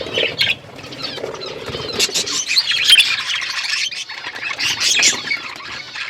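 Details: Many budgerigars in an outdoor aviary chirping together, rapid overlapping high chirps and buzzy warbles coming in waves, with some lower fluttering sounds.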